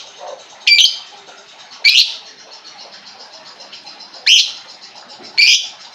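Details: Lovebird song used as a lure to get a caged lovebird that has stopped singing to sing again: four loud bursts of shrill, high chattering chirps about a second apart, with faint twittering between.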